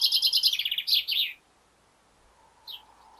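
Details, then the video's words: A male common chaffinch in a garden, near the start of spring, sings a quick, bright run of notes that tumbles down the scale and ends in a flourish, followed by a faint single chirp. "Garden Birdsong: Chatty Chaffinch"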